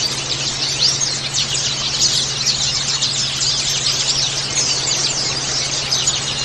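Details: Many white-eyes sing together as a colony, in a recording played to caged birds to prompt them to sing. High, thin chirps and twittering trills overlap in a continuous dense chorus, over a steady low electrical hum.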